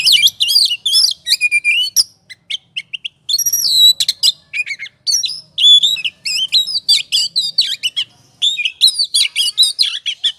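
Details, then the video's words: Oriental magpie-robin (kacer) in the 'ngobra' song style, used as a lure to provoke other birds into singing: a rapid, dense stream of high whistles, rising and falling slurs and chattering notes, with brief pauses between bursts. "Pancingan suara kacer ngobra,,pasti emosi dan gacornya terpancing.."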